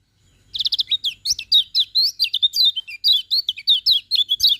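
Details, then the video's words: Morning song of a lemon-bellied white-eye kept as a training bird: after a short pause, an unbroken, fast run of high, bright whistled notes, sweeping up and down and closely spaced, lasting about four seconds. "Kicauan Kecial Kuning Pagi Hari"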